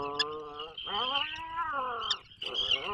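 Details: Inside a breeding burrow off the Maine coast, an Atlantic puffin gives loud, drawn-out groaning moans, rising then falling in rich harmonic waves, two long phrases separated by a brief pause, with faint high seabird cries behind.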